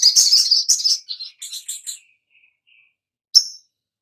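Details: Oriental magpie-robin lure recording meant to get birds singing: a rapid run of sharp, high chirps for about a second, a few softer notes, then a single bright chip after a pause.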